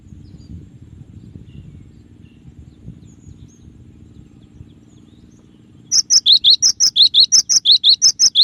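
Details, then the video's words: Gelatik batu, the cinereous tit, in a clear tutor recording: six seconds of low rumbling background, then a brisk, even run of alternating high and lower paired notes repeated over and over. "suara burung gelatik batu dengan variasi tembakan banyak yang nyari"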